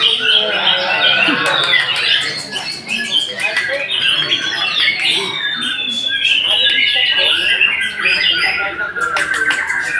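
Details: White-rumped shama singing a dense, continuous run of varied whistles, trills and sharp chattering notes, mostly high-pitched, with brief sliding phrases and a steady flow across the whole stretch.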